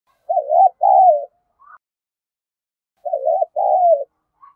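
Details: Spotted dove cooing in the Vietnamese 'gáy thúc' style, used to lure wild doves: two phrases about three seconds apart, each a short wavering coo followed by a longer, lower coo that slides downward, with faint soft notes between.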